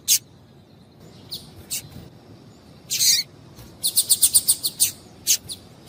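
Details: Female double-collared seedeater call meant to excite males into song: scattered faint high ticks, a louder buzzy burst, then a rapid, evenly spaced series of about eight bright chips.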